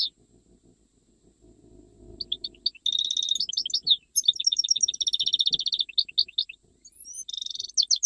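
A European goldfinch sings in fast, bright, tinkling twitters, bursts of rapid high notes with buzzy trills, after a quiet start with faint low rumbling.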